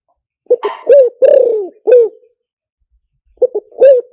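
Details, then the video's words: Spotted dove call used to lure birds: a full phrase of short coos and a long sliding downward coo, ending in a brief note. After a pause, the next phrase begins with two clipped notes and a coo. "เสียงต่อนกเขาใหญ่หมานๆ, เสียงนกเขาใหญ่ใช้ต่อลำโพงหมานๆเสียงชัดHD"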